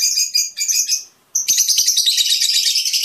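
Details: Shrill high twittering of a Fischer's lovebird, sung to stimulate mating; a burst of rapid chirps, a short pause, then a sharp note leading into continuous fast chattering.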